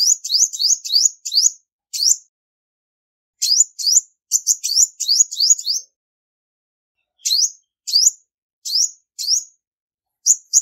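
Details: Female olive-backed sunbird song, meant to stir males, with no other noise: clusters of sharp rising chirps delivered in quick bursts of three to six, separated by pauses of one to two seconds.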